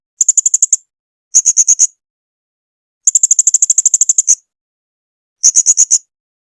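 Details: Blue-crowned hanging parrot, recorded in 2021 as a song tutor for cage birds: four quick trains of sharp, very high ticking notes, from five to over a dozen clicks each, separated by brief silences.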